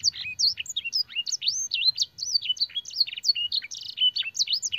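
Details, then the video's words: Canary master song with blackthroat and sanger phrases, used to train canaries: continuous high whistled slurs, looping notes and short buzzy bursts, delivered rapidly without pause over a faint low hum. "burung kenari gacor isian blackthroat dan sanger - suara masteran burung kenari"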